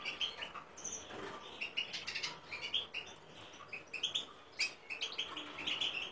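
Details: Hybrid of goldfinch and common linnet in song, soft and somewhat distant: run of scratchy twitters, buzzy notes and thin high whistles, delivered in uneven bursts.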